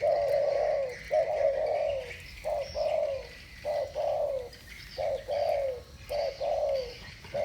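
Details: A duel of two spotted doves singing thổ bầu style: rolling mellow coos in short-long pairs, the long notes bending downward, repeated almost continuously, with light chirping of other birds in the background.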